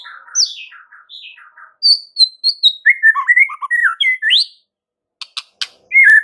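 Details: White-rumped shama masteran recording: a rich varied song of quick descending notes, high sliding whistles and a lower rolling phrase, followed by sharp ticking clicks and a final downslurred whistle.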